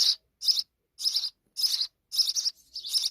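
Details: Sparrow nestlings in Pakistan begging to be fed insects by their mother: short, shrill chirps about every half second, later ones split into quick double notes.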